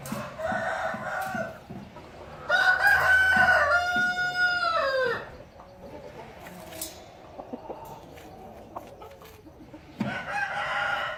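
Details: Rooster giving a loud, drawn-out crow of about two and a half seconds with a rich harmonic tone that sags at the end, preceded and followed by softer clucks and shorter calls from other fowl.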